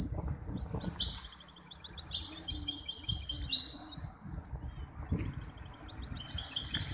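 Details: At the Ain Chock bird association's singing competition in Casablanca on 23 May 2021, a hybrid goldfinch gives two long bouts of high, buzzy, rattling twitter with metallic trills, separated by a short quiet gap, over faint rumble.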